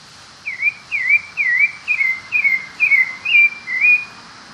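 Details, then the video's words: Pale-breasted thrush, also called sabiá-barranco, singing freely, a clear series of eight wavy whistled notes, each dipping then rising, spaced about half a second apart over soft background hiss. "Sabiá branco - Já ouviu o canto desse Sabiá?"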